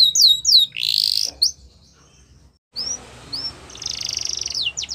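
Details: Yorkshire canary singing a training song meant for young canaries: quick falling whistled notes and a buzzy rolled trill, then a silent pause before more upswept notes and a dense trill.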